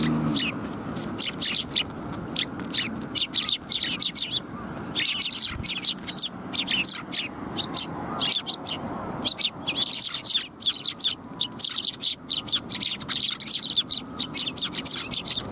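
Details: A flock of sparrows gathers to be fed at a Tenmangu shrine on 28 January 2021, chattering in rapid, overlapping high chirps and tweets almost without pause, with faint low traffic noise beneath.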